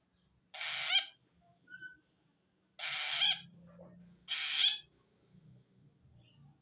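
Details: Long-tailed shrike calling to wild shrikes, a sound said to show it feels threatened by another shrike; harsh, noisy, broadband rasps about half a second long, three bursts a little over a second apart.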